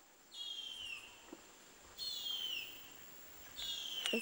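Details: Young Harpy Eagle chick calling from its nest in the Amazon rainforest canopy of Brazil: three thin, high whistled calls, each sliding downward, about one and a half seconds apart, over quiet forest background.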